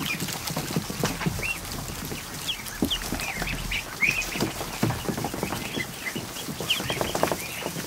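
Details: Over a hundred newly hatched ducklings in a barn kiddie pool on an afternoon; sporadic high rising peeps ring out through continuous splashing and paddling noise.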